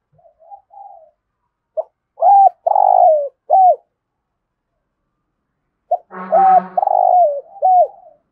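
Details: Spotted dove in Thổ-voice cooing, meant to spur captive doves to call and fight: soft coos, then two loud phrases of hooked short notes around a long wavering coo; a brief harsher harmonic sound overlaps the second phrase.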